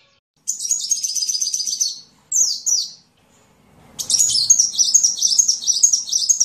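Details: Singing sunbird used as a training recording for other songbirds. It gives high, fizzing trilled phrases: one of about one and a half seconds, a short buzzy burst, a pause, then a longer stretch of rapid scratchy twittering.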